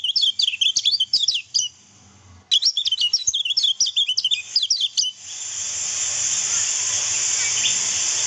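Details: Lemon-bellied white-eye song meant for training other birds to imitate: two fast runs of sharp, high, twittering chirps and short trills, separated by a brief pause, then a steady loud hiss takes over.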